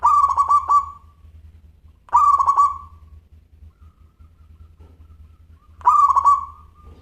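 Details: Local zebra dove singing actively in a clear, crystal tone. Three short phrases of fast, bubbling coos, each fading into a held note, with longer pauses between the second and third, and a low droning hum beneath.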